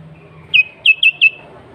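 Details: Lively sooty-headed bulbul in natural, unmixed song, used to call wild bulbuls; four loud, clear whistled notes, each sliding downward, delivered in quick succession over about a second, then quiet.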